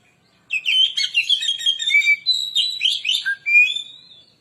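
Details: Continuous, rich song of an Oriental magpie-robin, a lure recording for stirring other birds: dense warbling whistles mixed with chattering and buzzy notes, with a sharp rising whistle near the end.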